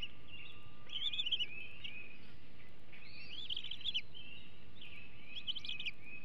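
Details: Bald eagle eaglet at the Hanover nest, 2021, aggressive around food days before leaving the nest: three groups of shrill chittering notes followed by drawn, descending whistles, low wind-like background noise throughout.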